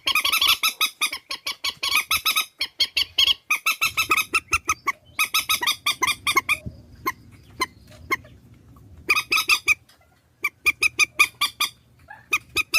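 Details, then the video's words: A lure track of swamphen calls for trapping: long runs of rapid, raucous honks broken by pauses, with sparse isolated notes mid-way and a low electrical hum in the background. "Tiếng trích ghép mòi"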